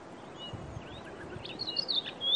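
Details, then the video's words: Chestnut-vented tit-babbler giving a quick run of thin, high chirps and short whistled slurs, building near the end, over a steady outdoor hiss. "Chestnut vented Tit babbler call"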